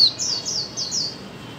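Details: Female white-eye call meant to stimulate mute birds to sing: a brief string of four high, falling chirps in quick succession.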